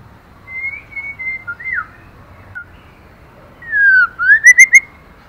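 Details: Female white-rumped shama singing to excite the male: level and dipping whistled notes, a pause, then a loud whistle sweeping down and back up into a quick burst of repeated ringing notes.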